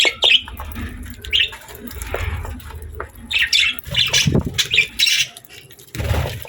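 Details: Pet budgerigars eating healthy food indoors give short, harsh, buzzy chirps in scattered bursts, denser after the third second, over low thumping and rustling handling noise.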